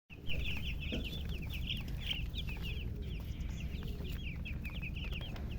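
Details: Coloured chickens with a hen, locally called murgi, giving rapid high chirps that dip downward, many overlapping peeps in a steady stream over a constant low rumbling hum.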